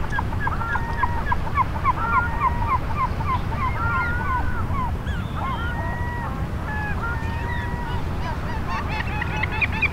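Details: A flock of Eurasian oystercatchers on the shore at Funabashi Sanbanse, Chiba, Japan, in the morning, keeps up a busy chorus of short, loud, overlapping piping notes over a steady roar of sea surf.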